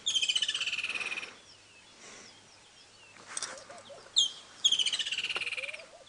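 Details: A Woodland Kingfisher, just landed in the open atop a tree after chasing off a Laughing Dove on an early-morning summer safari drive in February, gives two loud, high, rapid trills, with a single sharp note before the second.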